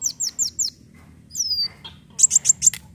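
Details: Leafbird lure song, used as a lure call: a run of four quick, high, downslurred chirps, then a long, sweeping downward whistle and a scratchy note, ending in a rapid burst of five bright, high chirps. Background is otherwise quiet.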